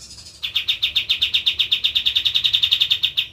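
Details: White-eye, locally kapas tembak, in full song: a faint high trill, then a fast, even string of about twenty-five sharp, piercing chirps delivered in under three seconds.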